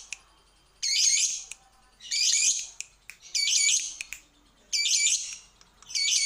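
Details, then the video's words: Lovebird on a lure recording for making birds sing: loud raspy squawk bursts repeated about every second, separated by brief clicks. "Garansi burung pasti gacor setelah denger ini"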